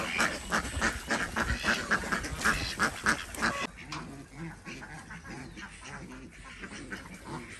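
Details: Morning egg collection at a village farm in Andhra Pradesh, where Desi ducks give loud, raspy quacks in a steady run for about four seconds before the calling fades to quieter, distant quacks.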